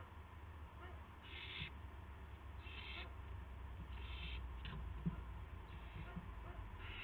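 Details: An owl carrying a gopher to another owl, March 18, 2016, 8 PM; harsh, hissy bursts repeat about once a second, each short and raspy, with a faint click and steady low background hum.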